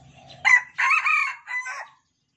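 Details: Caged, hand-raised Red junglefowl of Sumatran origin, kept since a day-old chick and crowing in turn with its cage mates; one short harsh crow in three broken segments, rising then trailing off, over a faint low hum.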